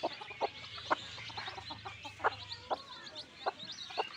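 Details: Newly hatched chicks in a free-range backyard flock give a steady stream of faint high cheeps, while short, abrupt clucks sound roughly twice a second over a soft background hum.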